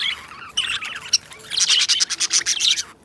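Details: Companion pet budgerigars chatter in a raspy, quickly pulsing warble of clicks and squeaks, softer at first, then a loud rhythmic run of buzzy notes over the last half.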